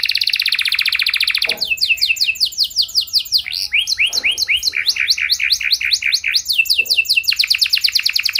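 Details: Energetic canary song meant to spur other canaries into long answering song, opening with a buzzy rolled trill, then rapid runs of repeated down-slurred whistled notes shifting pitch, closing on a fast high trill.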